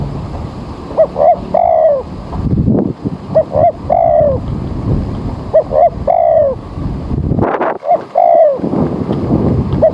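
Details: Spotted dove lure for bird trapping in early morning with rain coming: repeated phrases of two short coos and a longer descending coo, amid rustling and handling noises.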